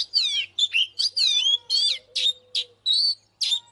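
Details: Oriental magpie-robin singing, used as a lure to provoke males to fight: loud, varied whistled phrases, sliding and warbling, in quick bursts separated by short gaps, with a faint steady low hum beneath.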